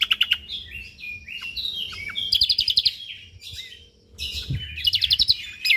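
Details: Lively Lombok white-eye song in the 'tembakan rapat' manner, with rapid high twitters and slurred notes, two fast trilled bursts around the middle and the end, and a short low knock partway through.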